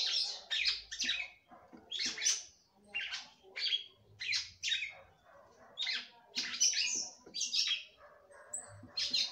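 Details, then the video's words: Singing hard to stimulate the male, a female red-cowled cardinal gives short, sharp bursts of chirpy, buzzy notes roughly every second, each burst a quick cluster of descending elements. "FÊMEA DE GALO DE CAMPINA CANTANDO MUITO PRA FOGUEAR SEU CAMPINA."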